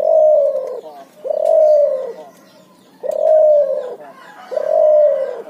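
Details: A cuhu, bred from Barbary dove and spotted dove, delivers four husky ngoar-nguku coos in steady rhythm, each a sustained low note easing downward at its close.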